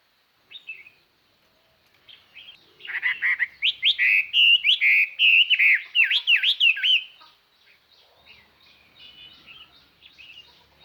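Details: Chinese hwamei decoy bird singing to attract wild hwameis: a brief opening note, then a fast, loud burst of varied whistles and zigzag trills lasting about four seconds, fading into soft quieter calls.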